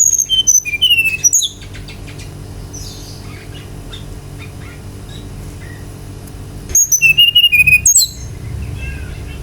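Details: Brown-chested jungle flycatcher song used to provoke other birds into singing: two bursts of high, clear whistled notes stepping downward with a few sharp upswept notes, separated by a long quiet gap with faint background hiss.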